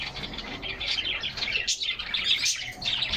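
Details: Several caged canaries singing in summer sunshine, caught by a fixed camera inside their cage while they hop and play; dense, high twittering chatter with quick chirps overlapping continuously, a brief dip in the middle.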